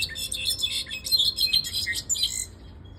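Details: Caged pet goldfinch singing: a rapid, bright tumble of high twittering and chirping notes, dense for over two seconds, then trailing off into quiet.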